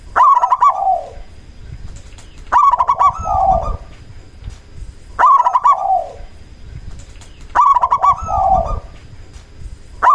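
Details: Indonesian local zebra dove lure call for drawing replies from other doves and stimulating breeding drive: four evenly spaced phrases, each a sharp clicking burst of quick notes sliding down into a descending soft coo.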